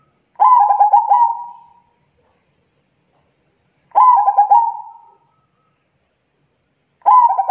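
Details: Zebra dove song repeated about every three seconds: each phrase a burst of rapid clipped coos followed by a fading, quavering purr, with silence between.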